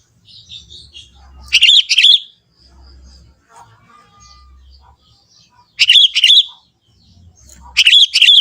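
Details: Young forest sooty-headed bulbul singing its natural voice, with no learned phrases from other birds: three loud bursts of rapid, bright chirping notes, separated by quiet gaps with faint low rumbling.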